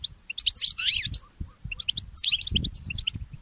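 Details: Goldfinch mule, a goldfinch hybrid, singing in the early morning: two bursts of high, rapid twittering with sweeping chirps, separated by a brief near-silent gap, over soft low thumps.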